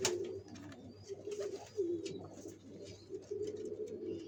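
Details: {'text': 'Pigeons building a nest to lay eggs, probably indoors: low, soft cooing phrases rise and fall at intervals, with faint room noise and a steady low hum.'}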